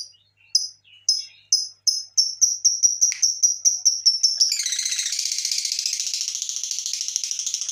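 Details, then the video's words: Lovebird lure call meant to trigger other lovebirds into song: high piercing chirps that start spaced, then quicken steadily until merging into a continuous shrill trill for the last three seconds. "pancingan burung Lovebird"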